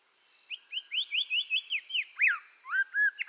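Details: Red-whiskered bulbul in full song for voice training: a rapid series of short rising whistled notes, about eight in quick succession, ending in two louder looping, slurred phrases over a faint steady hum.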